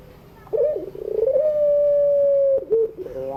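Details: Puter dove, the long-cooing pelung style, recorded in the afternoon as a model for learning birds: a wavering, bubbling opening swells into a steady, drawn-out low hum that breaks off with a short dip.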